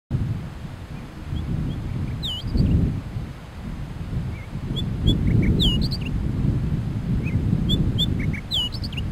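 Rufous fieldwren giving short, high chirps and upslurred whistles in scattered bursts, over a heavy low rumble of wind or handling noise.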